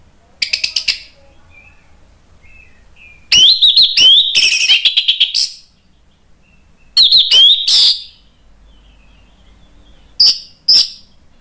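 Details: Orange-headed thrush singing, meant to provoke a stalled bird into full song. Four bursts of rapid, scratchy chattering mixed with bright whistles are separated by silent gaps of about two seconds.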